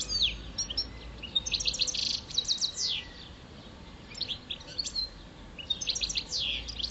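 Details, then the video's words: Five-year-old European goldfinch, parva form, kept as a pet and singing during mating season: bursts of quick liquid twittering and tinkling high notes in phrases, with a noisy background. "Goldfinch song"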